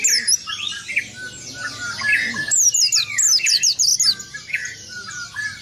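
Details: Rolling song of an oriental white-eye, meant to anger rival birds: a run of rapid, high, downward-sweeping whistles in the middle, framed by lower twittering and chirps from other birds.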